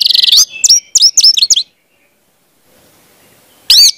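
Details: Orange-headed thrush song played to teach young birds: a quick burst of high notes, then four sharp downslurred whistled phrases, a silent gap, and one final loud complex note.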